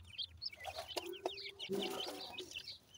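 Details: A brood of grey francolin chicks from Punjab, bred in captivity, gives soft high peeps and little upslurred cheeps, broken by two sharp taps and a brief low droning tone.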